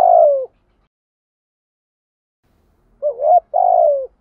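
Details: Spotted dove coo used as a lure to provoke wild doves. A low, falling coo, then about two and a half seconds of silence, then a wavering coo run straight into a longer descending coo. The recording is clean with no other sounds.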